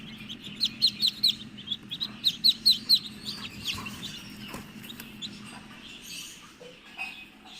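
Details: Newly hatched Muscovy duckling peeping in an incubator, where the eggs hatched after 28 days: clear, high, short peeps in a quick burst of about eight, a pause, then fainter scattered peeps over a steady low machine hum.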